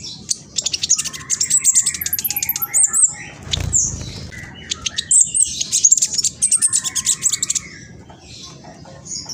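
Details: Mistletoebird, a speckled juvenile, in East Java, Indonesia, phone-recorded singing a fast lure song for other birds. Streams of rapid high chips with lower slurred whistles run nearly continuously, with a brief rustle partway through.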